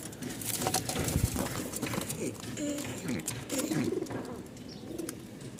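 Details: Domestic pigeons, a male-and-female pair at a pigeon market in Mirpur, give low, soft, rolling coos while a man talks nearby.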